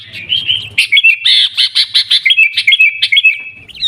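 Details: Sooty-headed bulbul in Pidie, Aceh, delivering Gaya Garuda style song: a rapid rhythmic series of buzzy, pulsed notes, about four per second, flanked by whistled slurs.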